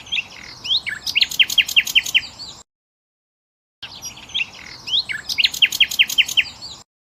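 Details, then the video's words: Kept European goldfinch singing in the bibtiba style: a dense, rapid twitter of high sliding notes and clicking, buzzy elements, delivered in two bursts separated by a short silence, over a faint background hiss. "طائر_الحسون.بتبتة خرافية وأصوات تجنن طيورك."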